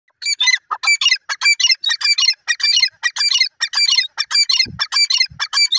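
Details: Grey francolin (desi teetar) calling: loud, harsh, rasping notes with a ringing quality, delivered in quick bursts about every half second throughout, with a brief low thud near the end.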